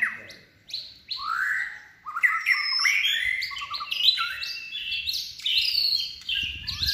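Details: Contest-trained white-rumped shama, third-season bird singing in competition style: loud clear whistled phrases sliding up and down, mixed with buzzy notes and quick trills, short pause near the start then continuous varied phrases; faint low thumps at the end.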